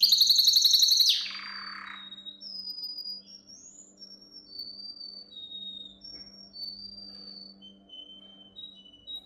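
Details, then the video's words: Canary song meant for teaching young canaries. It opens with a loud rapid trill for a second, then slides into quieter, spaced whistled notes that alternate between higher and lower pitches. "Most powerful song for training Canary"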